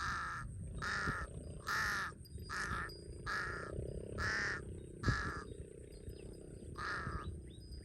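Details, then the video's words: Large-billed crow in Cambodia, a bird common around water where villagers call it the thief-bird, giving a series of eight harsh, nasal caws at roughly one-second intervals over a low rumbling background. "Large-Billed Crow"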